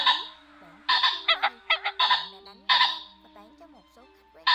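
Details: Ring-necked pheasants, male and female, calling to gather the flock as a trapping lure: long grating bursts alternating with quick stuttered pulse groups, with low sliding whistles and a steady hum underneath.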